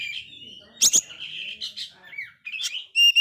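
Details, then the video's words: Oriental magpie-robin in incomplete moult, singing busily, offered as lure song to rouse low-spirited magpie-robins; brief phrase mixing sliding whistles with two loud harsh grating bursts, ending in a strong clear pure whistled note. "Kacer gagal mabung ini sangat gacor sekali Cocok Untuk mancing Mental kacer drop"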